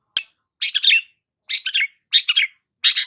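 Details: Lively Long-tailed shrike song offered as a lure for stressed shrikes: a sharp click, then four dense scratchy chattering bursts, each about a third of a second, separated by short silences.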